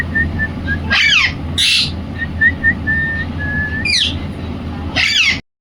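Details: Indian ringneck parrot giving four harsh, loud chirps, each a short burst of falling, harmonic-rich notes, spaced about a second or more apart, over a run of thin, pure, steady whistled notes and a low background hum.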